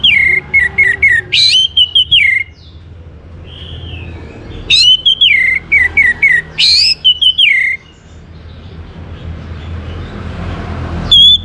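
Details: Orange-headed thrush song for coaxing other birds to sing: loud, repeated swooping whistles in rapid phrases, a softer warbled passage, then more bursts of clear whistled notes.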